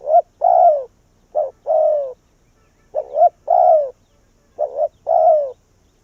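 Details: Vietnamese spotted dove used as a caged decoy to lure wild doves to its tree. It gives four phrases, each a short two-part coo and then a longer falling coo, repeating about every 1.5 seconds. The background is quiet.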